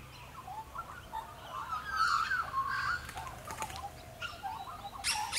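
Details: Australian magpies sing in the background, a rich, gurgling warble of mid-pitched fluting notes strongest around the middle, with a few sharp clicks and rustles nearby as a neon cuckoo bee roosts on a grass blade.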